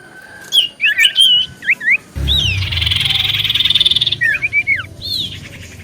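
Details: Common iora used as a lure to provoke answers: short hooked whistles, then a sustained harsh buzzy trill over a low rumble, ending in more quick slurred notes.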